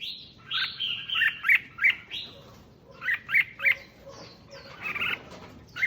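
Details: Red-whiskered bulbul song used to rouse caged bulbuls: rich warbled phrases followed by clusters of sharp repeated chirps, three in quick succession twice, then more trilling notes; faint background hiss.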